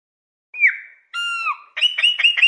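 A Chopi blackbird sings a clear, falling whistle, then a richer, ringing downslurred note, then five quick, clipped chirps. No other sounds.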